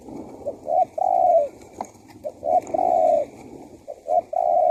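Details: Spotted dove cooing to attract wild doves, a soft short coo followed by a longer sustained, falling coo, repeated three times over a hissing, noisy background.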